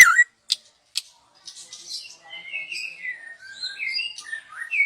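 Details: Young wild white-rumped shama singing, recording used as a lure: a few sharp broadband clicks, then a long run of varied whistled and warbled phrases wandering between mid and high pitch.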